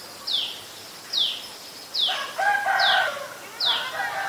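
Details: Five piercing downslurred notes from an adult Common Tailorbird, Ubon Ratchathani, Thailand, 11 April 2022, evenly spaced under a second apart, while a lower-pitched bird sings a tangled phrase between them.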